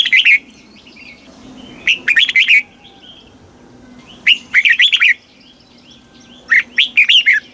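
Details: Southern-style master song of a red-whiskered bulbul from Thailand, played to excite caged birds and train young birds; short bubbly phrases of rapid bright notes, four bursts spread over several seconds.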